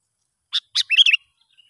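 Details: Sooty-headed bulbul in the wild, heard during a test of a young lure bird: two sharp chirps followed by a quick bubbly, warbling phrase of three or four linked notes, then silence.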